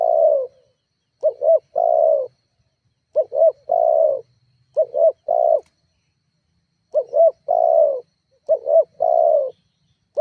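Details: Spotted dove (tekukur) call used as a lure to provoke rival doves and make a kept bird call back; clean repeated coos around a low pitch, each phrase a quick double note then a longer slurred coo, phrases every one to two seconds.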